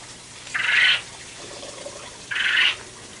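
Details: A quail on a backyard homestead gives two harsh, raspy bursts about two seconds apart, each under half a second long, over a quiet outdoor background.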